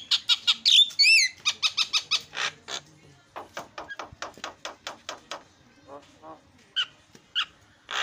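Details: Starling lure song meant to provoke other birds into calling: rapid clicking notes in steady trains, a few swooping whistles early on, then sparser sharp chips.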